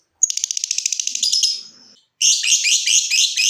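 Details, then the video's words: Captive lovebird ticking into a trill, played to set other lovebirds trilling: a quick stuttering series of high ticks that blur together and fade, then a loud continuous grating chatter. "Suara Burung LOVEBIRD dimulai NGETIK lanjut NGEKEK"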